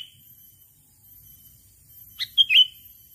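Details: A single quick phrase from a sooty-headed bulbul used to call in a rival, with a few sharp chirps running into a warbled falling note near the end of a mostly silent stretch.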